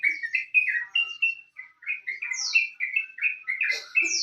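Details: Sooty-headed bulbul song used as a lure to get other birds singing: a lively run of short bubbly chirps and warbled notes, tightly spaced, with a few higher squeaky notes mixed in.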